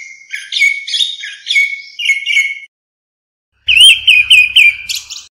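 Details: Flock-gathering call of a grey-backed thrush, a clean recording: quick series of clear whistled notes with twittering overtones, a pause of about a second, then a bright rising-falling whistled run.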